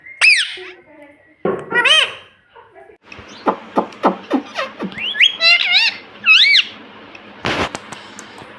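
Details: Pet ring-necked parrot kept indoors, said to be saying "mummy": a string of sharp arched, harmonic squawks and chattering syllables, with several short clicks and a loud burst near the end, over quiet room noise.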